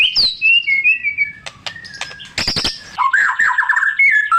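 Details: White-rumped shama singing to stir silent birds into song: sliding whistles, clicks and chips, then a rich warbled passage with slurred whistled notes.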